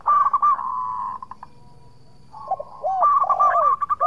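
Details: Local zebra dove in full song, suited to drawing a reply from rivals: a quick flurry of coos that trails into a held tone, a pause, then looping swoops and another rapid burst of notes.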